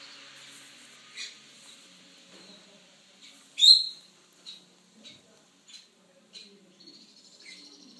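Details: Two-week-old Lutino rosy-faced lovebird chicks being hand-fed give short, high, harsh begging squeaks, one loud burst near the middle, then a string of brief chirps about once a second, over a quiet background.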